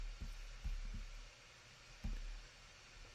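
Only low rumbling thumps and a steady background hum are heard, with no animal calls.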